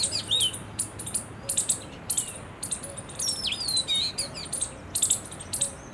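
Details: Oriental magpie-robin recorded on 31 March 2023, giving varied whistled phrases: swooping, bending notes that dip and rise, mixed with thin high chirps in irregular bursts, plus a faint low hum underneath.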